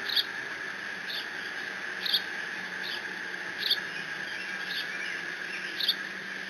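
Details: A bald eagle nestling at the Decorah N2B nest camera, 30 June 2017, mantles a delivered fish. Sharp, high squeals are spaced about a second apart, some with a quick double note, over background hum.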